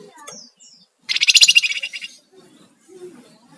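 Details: Sunda warbler singing in the energetic ngebren style, used as a lure and master recording for songbirds: a loud, rapid, buzzy rattling trill lasting about a second, with faint voices and quiet chirps around it.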